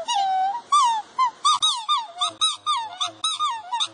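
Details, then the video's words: Three black swans displaying toward a puppy give a run of musical, bugle-like notes, each bending up and down, about one and a half per second in a quick, uneven series. "Black swans sing"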